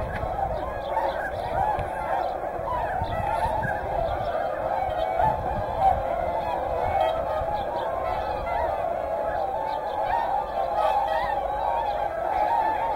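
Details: Whooper swans among tundra swans at the Hyoko lake in Niigata give a constant mass of bugling, honking calls. The individual voices blur into one loud, unbroken chorus with occasional sharper notes standing out.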